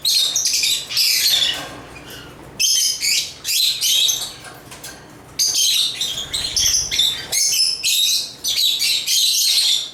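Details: A run of rasping, shrill chirps and chatter from African lovebirds, bursts coming in quick succession with short breaks over ten seconds.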